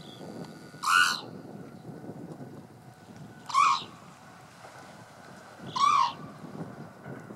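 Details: Red-crowned cranes, very used to people, at Kayanuma Onsen and Kayanuma Station, Hokkaido, in March 2015. Three loud, harsh, harmonic trumpeting calls come about every two and a half seconds over a low background rumble.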